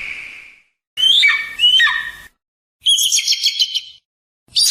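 An eagle gives high, thin whistles that slur sharply downward, then a quick chittering run of notes, in short bursts separated by silence.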